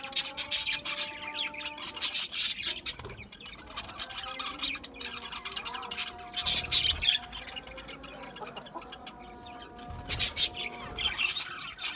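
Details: Budgies at a seed mix produce sharp, bright squawk bursts in clusters near the start, middle and end, separated by quieter murmuring chatter over a faint steady hum.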